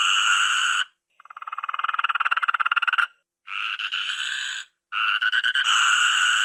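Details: Toucan producing a fast, pulsing croak-rattle that grows louder over about two seconds. Two harsh, droning, nasal calls follow, each set off by brief pauses.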